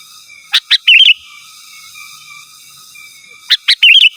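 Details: Sooty-headed bulbul singing to call rivals, used to lure wild birds and tutor captive ones: two short bursts, three seconds apart, each of two sharp chirps followed by a bubbly warbled phrase, over faint steady hum.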